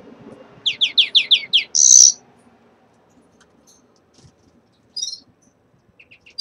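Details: Red-fronted serins kept in a cage, beginning their moult: a quick run of six sharp descending notes, then a harsh buzzy burst, silence, and later a few thin high chips.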